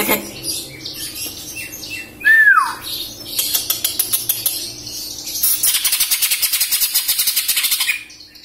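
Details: Greater green leafbird, a young captive bird from Samarinda that has left juvenile plumage and awaits moult, mixes chattering notes, a bright descending whistle, and long fast rattling trills of repeated notes.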